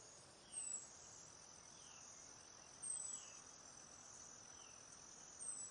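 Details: Cedar waxwing flock in a backyard, passing berries and insects: three faint, very high, thin, slightly falling whistles spaced about two and a half seconds apart over a steady insect background.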